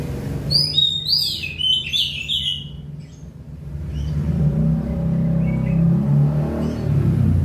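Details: Oriental magpie-robin singing a rapid run of varied whistled and chattering notes, bright and jumbled, for about two seconds before falling quiet, while a loud low engine rumble from passing traffic grows and fills the rest.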